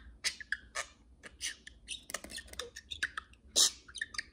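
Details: Pair of pet budgies during indoor free flight, talking to each other in a dense stream of clicks, squeaks and short chirps packed tightly together, with one louder harsh squawk near the end.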